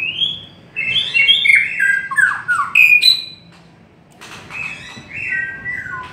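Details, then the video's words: White-rumped shama delivering a long, varied song of fluty whistles, fast trills and sharp ticks, breaking briefly before resuming with sweet, level whistled notes. "Chim chích chòe lửa hót hay giọng dài"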